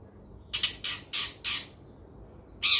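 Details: Long-tailed shrike uttering four quick grating squawks in a row, then a pause and one more loud rasping note, over quiet low background hum.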